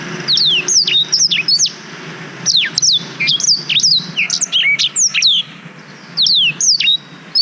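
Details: Black-throated canary singing, GoPro Hero 5 recording to train canaries: bursts of bright, steeply falling whistles and chips, separated by short pauses, high-pitched throughout with a faint low hum.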